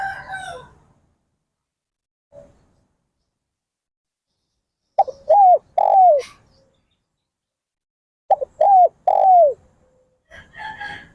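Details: Spotted dove calling: two mellow cooing phrases, each of three quick hooting notes with the last one drawn out and falling, separated by a few seconds of silence; faint other sounds at the start and end.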